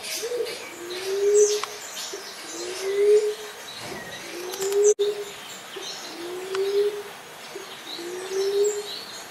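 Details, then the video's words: Common Emerald Dove repeating five deep, breathy coos at a steady pace, each rising slightly, with faint chirps of other birds behind and a brief sharp click near the middle. "SUARA BURUNG | DELIMUKAN, LIMUKAN, PUNAI TANAH, TEKUKUR TANAH, EMERALD DOVE"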